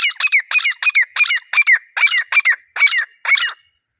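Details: Wild grey francolins calling as a pair, recorded outdoors. About ten loud, harsh, ringing phrases come in quick succession, each with a squealing downward slur, then stop abruptly before the end.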